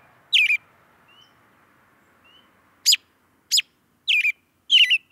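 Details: American robin (Turdus migratorius) giving short, sharp chirps: one at the start, a pause with faint whistles, then four quick chirps closing the clip, some doubled.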